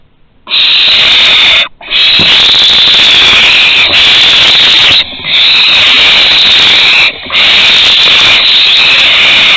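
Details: Barn owl at Théding, France, 2 September 2020, first flight from the nest and return. Nearly continuous loud, rough hissing screeching, broken only by a few brief pauses.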